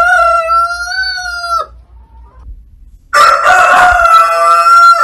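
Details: Cockerel crowing: a long, steady, slightly wavering crow ends abruptly, a faint note follows in near quiet, then a louder, noisier, overlapping crow bursts in, with low rumbling in the background.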